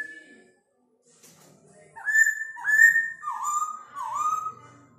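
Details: Forest laughingthrush imitating a rooster's crow: a series of loud whistled phrases, each sliding down then holding a level tone, repeated four times.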